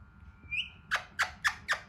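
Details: Raw Alexandrine parakeet, hand-tame and trying to talk: a thin rising whistle, then five harsh, sharp squawks spaced roughly a quarter-second apart over a faint indoor rumble.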